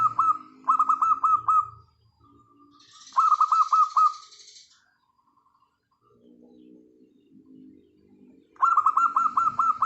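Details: Local wild zebra dove song used as a lure to get silent birds singing: bursts of rapid, rolling mid-pitched coos in quick strings, a pause, then another burst, with faint chirps and rustling between.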